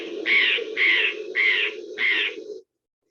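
A Steller's jay gives four harsh, raspy shack notes, evenly spaced about every half second, over a low steady hum.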